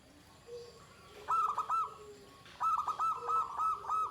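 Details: Zebra dove of the Pendowo Mijil line singing in the shrill 'klare ke tek kuk' style with a drawn-out ending: two bursts of clipped, trilled high coos, softer coos underneath between them.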